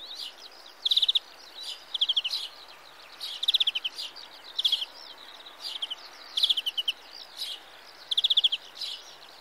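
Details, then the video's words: A European greenfinch (Carduelis chloris) gives short, fast twittering trills of high notes, each burst about half a second long, repeated roughly every second over a light background hiss. "Greenfinch - (Carduelis Chloris) Sound"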